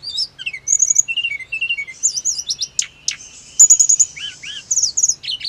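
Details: Hill blue flycatcher song for stirring caged birds to reply: thin whistled notes, a few lower wavering phrases, then a fast stuttering rattle and looping upslurs, all high-pitched and clear.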